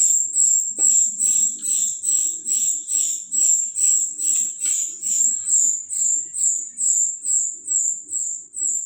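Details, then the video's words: Very high, piercing whistled notes from a golden-bellied gerygone, repeated evenly about twice per second for the whole stretch, each note slightly buzzy; faint low background sounds and a brief click. "rio rio teler konslet"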